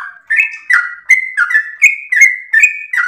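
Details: Sooty-headed bulbul singing a melodious, rapid, long-breathed song used as a master recording to train and provoke other birds; bright chirpy two-part notes, each dropping then lifting, repeated about every third of a second.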